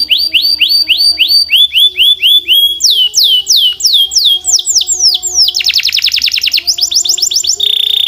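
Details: Belgian canary in strong, clear song: phrases of repeated upslurred whistles, changing tour every second or so, then a rapid buzzy roll before more fast repeated sweeping notes.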